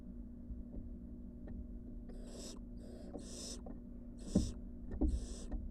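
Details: Wild barn owl nestlings returning to their nest box after time on the porch: several rough, breathy hisses in bursts over a steady low hum, with a few soft knocks.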